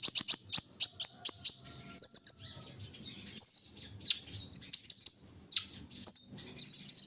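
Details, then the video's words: Morning dewing of a caged kolibri ninja sunbird: a quick run of evenly spaced high ticks opens, then varied shrill twittered phrases and short trills separated by brief gaps. "pengembunan di pagi hari burung Kolibri ninja"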